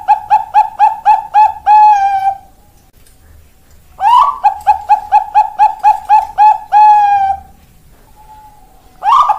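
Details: Zebra dove (perkutut, Bangkok type), 4 March 2023, sings two phrases, each made of fast clipped coo notes closing on a drawn-out tone, separated by a quiet gap, with a third phrase just starting.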